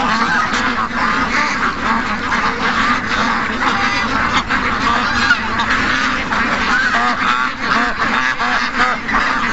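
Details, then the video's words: Morning rush of more than 700 ducks and geese: a dense, continuous chorus of overlapping quacks and honks, with no pauses and no single caller standing out. "700+ Ducks & Geese Morning Rush"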